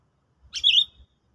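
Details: Sooty-headed bulbul in a trapping-lure trial after a stimulant: a single clear note opening with a sharp click, then a bright whistle that dips and rises again, with faint low thumps behind.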